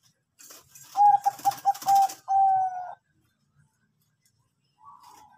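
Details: Zebra dove of the Bangkok type singing as a lure for other birds: four quick staccato coos and a long steady coo, with a hiss of background noise and a faint coo after a pause.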